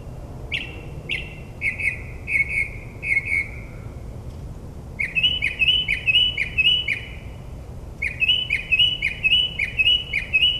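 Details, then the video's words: Northern mockingbird singing at midnight in New Jersey suburbs, mimicking other birds: a few slurred whistles, then long rapid series of sharp repeated chirps in two bursts, over faint low hum. "Mockingbird's Nocturnal Performance in NJ"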